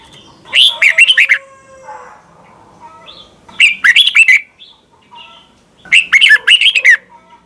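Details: Red-whiskered bulbul song from Thailand, played to caged birds to teach them. Three short warbling phrases come at a steady pace, each a cluster of bright, bouncing notes, with soft lower chatter between them.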